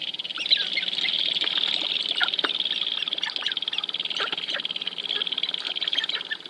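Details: Dancing sharp-tailed grouse at Wainwright, Alberta, in 2015. A dense, high, rapidly pulsing buzz runs throughout, with scattered short chirps and clicks over it.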